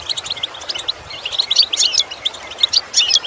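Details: European goldfinch singing for song-improvement lessons: sparse chirps building into lively twittered phrases of slurred, tinkling notes, loudest in the second half.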